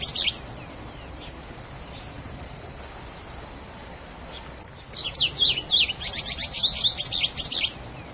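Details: Wild plumbeous seedeater (patativa) sings a brief high opening note, then a rapid run of bright, twittering, sliding notes; an insect's thin, pulsing buzz repeats steadily behind it.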